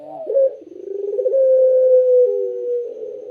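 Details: Barbary dove giving a clear, sweet cooing song: a low throbbing roll that swells into a long, smooth, steady hum, then slides down, all sung in one continuous phrase indoors.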